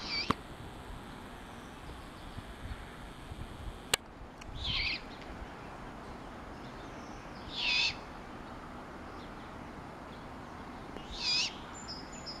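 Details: A fledgling great horned owl in Marin County, California keeps in touch with its family by giving three harsh, hissing screeches, each about half a second long and roughly three to four seconds apart. Two sharp clicks are heard early on.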